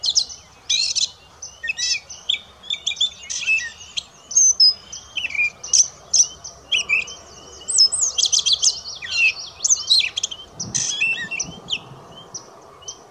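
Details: Gray catbird at St George Marsh, New Brunswick, 20 May 2016, pouring out a lengthy medley of harsh chatters, mews, clicks and thin whistles, phrases tumbling one after another with only short gaps.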